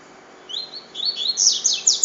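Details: Part of a double-collared seedeater's cachoeira song: high sliding notes that quicken into loud, buzzy, downslurred chirps.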